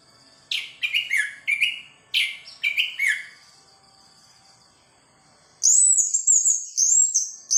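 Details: Orange-headed thrush in full song, showing off its learned repertoire (bongkar isian): loud rich phrases of sweet falling whistles and rapid chirps, a pause, then high sharp ringing notes repeated in quick succession.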